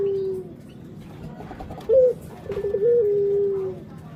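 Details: Barbary dove, a playful bird said to behave like a husband poking at his mate, giving a faint low coo, then a sharp rising note followed by a wavering, steady coo that slowly falls in pitch.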